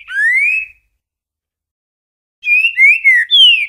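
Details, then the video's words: Green-winged saltator singing in the boiadeiro song style: a loud, clear, rising whistled slur, a pause of nearly two seconds, then a rich phrase of three or four linked whistles that rise and fall, with no other sounds. "Espetacular Canto Trinca Ferro Boiadeiro"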